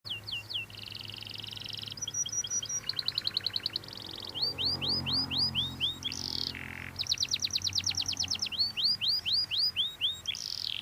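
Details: Canary singing vigorously: high rapid trills, bursts of repeated upslurred whistles and buzzy rolls, changing phrase every second or two, over a low steady background hum.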